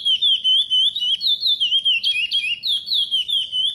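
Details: Curió pardo, a chestnut-bellied seed finch, giving praia-style training song for young birds. Loud, clear whistled phrases dip and rise in quick wavy notes, separated by brief pauses.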